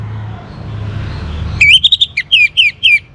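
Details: Orange-headed thrush, young and in full song to draw out other birds' singing, breaks into a rapid string of sharp, slurred whistles rising and falling, each note dropping at its end.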